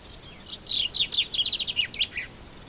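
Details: Song of a common chaffinch recorded in Morocco: a single phrase of sharp, high notes tumbling downward, running into a fast, even series of chips and closing with a brief falling flourish; otherwise calm.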